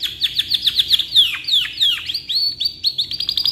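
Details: Singing canary, long song for tutoring other birds: quick series of bright downslurred chirps, a few drawn-out sweeping notes, then flat whistled notes and renewed rapid chips.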